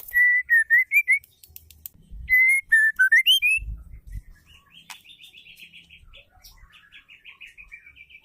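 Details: Female white-rumped shama (murai batu) calling to stimulate males into singing: a run of clear whistled notes, some level and some rising or dipping, repeated quickly for four seconds, then softer chirpy notes with light clicking noises.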